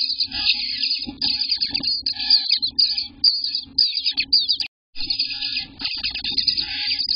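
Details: Eastern bluebird nestlings, eighteen days old, in their nest on a June morning, giving a near-continuous chorus of high raspy, scratchy begging notes with a brief break, over a faint low hum.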